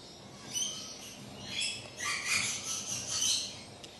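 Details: Young rainbow lorikeet imitating its parents, producing rasping, chattering calls that build up in the second half over a steady background hiss.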